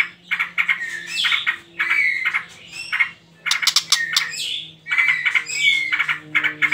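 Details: White-rumped shama song in the trotol style, used as a lure to provoke other birds into singing: dense bursts of rapid, harsh chattering mixed with sharp whistled notes, in phrases of about a second separated by brief pauses, over a faint low hum.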